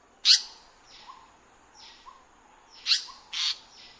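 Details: Indian paradise flycatcher in its breeding habitat: three loud, harsh, rasping calls, one near the start and a close pair near the end, with fainter softer notes trailing between them against a quiet background.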